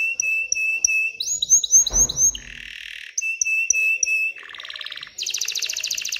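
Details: Excited canary singing to stimulate females to mate and build a nest; clear whistled notes, a run of repeated upslurred phrases, then buzzy low trills and a fast high rattle, with a brief noisy rustle.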